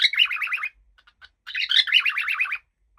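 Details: Happy pet cockatiel indoors chattering in fast warbling runs of wavering chirps, two long bursts separated by a short gap holding a few soft clicks.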